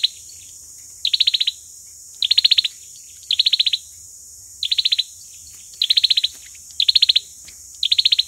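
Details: Olive-backed sunbird fighting song for luring: a steady series of seven short, rapid high trills, each of several sharp notes, repeated roughly every 1.2 seconds against a high hiss.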